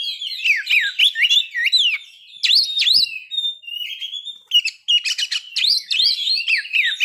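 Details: Provoking song of an Oriental magpie-robin, used to trigger breeding condition and aggression. Bursts of fast looping whistles break around a sustained thin whistle, then resume as rich warbling.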